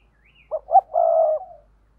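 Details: Spotted dove paired cooing: a single phrase of two brief clipped notes, then a long, smooth, low coo trailing off. A faint higher note is heard just before it.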